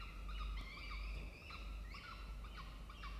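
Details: Peregrine falcons at a nest box in a water tower, Charles Sturt University, Orange, New South Wales, Australia, 16 October 2024 at 07:21. Long harmonic wails followed by several short, upward-flicking notes, with a continuous low hum beneath.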